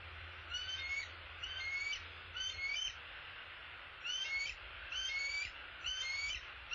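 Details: Bald eagles at their nest, with the male apparently bringing an opossum. Six bursts of shrill, squeaky, chittering notes roughly once a second, some with a short rising whistle, over a steady low background hum.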